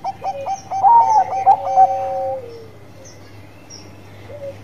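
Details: Bangkok-type zebra dove singing actively: a run of quick staccato coos that rise and fall, then a long, smooth, slightly falling drawn-out note, with a quiet background.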